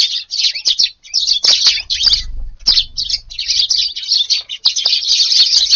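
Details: Eurasian tree sparrows crowd a garden for breakfast on a hot August 19 morning, their shrill chirps piling into a steady, busy chatter with a couple of brief lulls.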